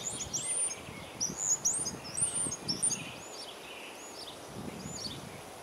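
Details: Common starling producing scattered high, sharp whistles and short slurred chirps, busiest in the first three seconds, then thinning to a few faint curving notes over a steady background hiss.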